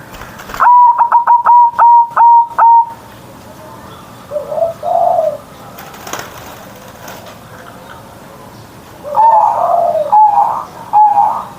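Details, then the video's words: Zebra dove kept as a pet sings its loud morning manggung song. It opens with a quick burst of clipped coos, pauses, then gives softer low warbles and later more rolling coo phrases. "Perkutut Manggung Gacor Suara Besar"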